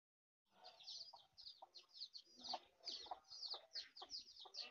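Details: Mother hen scratching for food, her low clucks mixed with a busy chorus of high, downslurred peeps that fill the recording after a short silent start.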